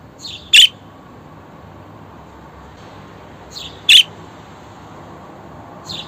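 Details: Budgerigar calls played for pet budgies: sharp, high squawking chirps repeated roughly every three seconds against a quiet, steady background hum.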